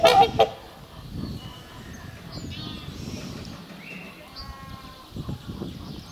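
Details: A pair of trumpeter swans trumpet in spring courtship to renew their pair bond, also likely marking territory: a quick burst of loud, brassy, nasal honks, then quiet under a low rumble with a few faint, higher bird notes.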